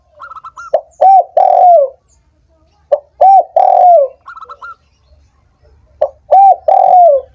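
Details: Spotted dove, a recording meant to get silent doves singing: three low phrases about two and a half seconds apart, each a sharp note, a short coo and a long falling coo, preceded by faint higher chips.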